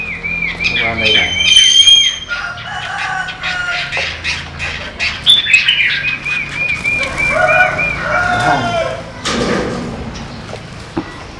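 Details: Caged Chinese hwamei from western Vietnam, trained to return to its cage after flying free. Mixed whistles, trills and short rattling notes come in uneven bursts, with clear sustained whistled notes midway, and people talk softly.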